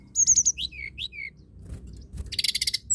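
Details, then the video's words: Hill blue flycatcher singing busily: a rapid high trill opens, followed by slurred whistled notes dropping in pitch, then a dense rhythmic series of scratchy high bursts near the end. "Tledekan gunung gacor!!"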